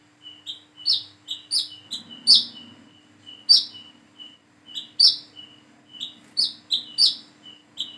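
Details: Young sunbird (kolibri kelapa, wiceh) learning its call gives sharp, high chirps in quick bursts of two or three, repeated every second or so, over a steady low electrical hum.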